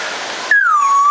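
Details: Congo African grey parrot of the nominate subspecies at Warsaw Zoo gives a clear, pure whistle. It slides downward, then levels off and lifts slightly at the end. Steady rushing noise comes before it.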